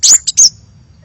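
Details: Hummingbird lure call, described as very lively: three sharp, very high chirps in quick succession, the first and last longer with a brief thin whistle-like tail, then quiet with faint low background hum.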